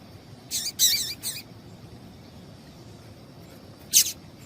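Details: High, quick call notes from a female Double-collared Seedeater, used to excite a male into song: a tight burst of three wavering chirps, a long pause, then a single sharp note, over steady low hiss.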